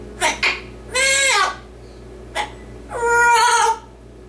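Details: A pet yellow-naped amazon parrot indoors mimics human speech, singing "Oh Lord It's Hard To Be Humble": two quick clipped syllables, then longer rich, wavering drawn-out sounds, over a faint indoor hum.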